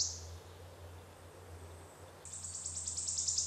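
Wood warbler giving its high, shivering trill of rapid, thin notes after a brief opening note, over a faint low hum.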